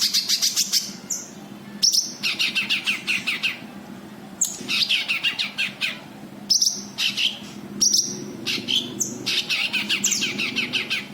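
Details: White-eye (cucak kinoi) calls used to lure untrained birds: repeated bursts of fast harsh chatter mixed with sharp high downslurred chips, over about eleven seconds with brief gaps.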